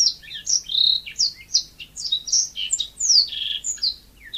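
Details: Yellow-fronted canary singing naturally: a steady stream of high, clear whistled notes, many sliding downward, delivered in quick succession without pause.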